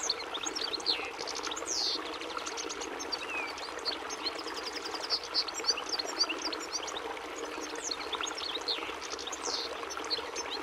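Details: European goldfinch song: a continuous fast twittering of high, tinkling chirps and short trills with liquid notes, running without pause over steady background hiss.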